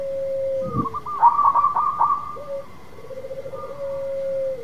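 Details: Zebra dove of a local strain singing eagerly to prompt a silent bird: a fading low coo, then a quick chattering burst of clipped notes and a long pulsing coo that trails off.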